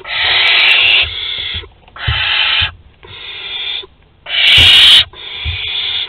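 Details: A barn owl at a nest in Théding, France, on 22 August 2020, during a hectic food delivery, gives five harsh, hissing screeches of about a second each with short gaps; a faint knock or two underneath.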